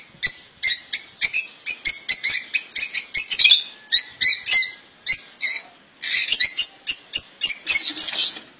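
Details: Caged European goldfinch (ghandour) singing a song described as free of mistakes: dense, fast twittering of sharp high chirps and metallic notes, nearly continuous, with one short break midway.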